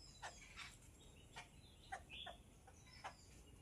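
Yellow-billed babbler giving harsh, scratchy chattering notes at uneven intervals, about one every half second to a second, with a faint higher whistle between them.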